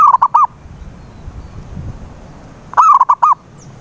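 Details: Zebra dove used as a singing lure for a silent dove: the tail of one phrase, a pause of over two seconds, then a full phrase of a wavering coo and three short coos.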